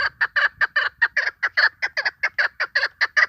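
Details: Hunting-lure call of a female chukar partridge: a steady, rapid string of loud, harsh chuck notes, some slightly doubled, continuing without pause throughout.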